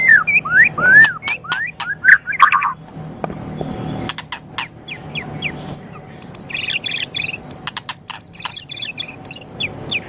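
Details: White-rumped shama song meant for training other birds: a few varied whistled phrases, then scratchy, high buzzy notes and sharp clicks.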